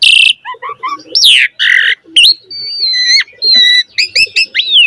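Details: Black-collared starling in loud song with a rich fill-in repertoire, used to get other starlings singing fast. Opens with a harsh note, then short chirps, level whistles and a falling slurred whistle to close.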